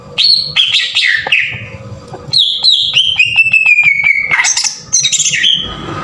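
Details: Green leafbird used as a lure to trigger singing, 'tembakan kasar' style: falling whistled notes, a long slowly descending series of clicking pulses, then high sharp chatter.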